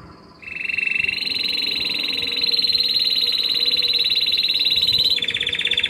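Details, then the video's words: Belgian canary of intense yellow color singing a lot: a long, evenly pulsed rolled trill that jumps up a step after a second and runs for several seconds before a brief lower change. "CANÁRIO AMARELO INTENSO CANTANDO MUITO!!!"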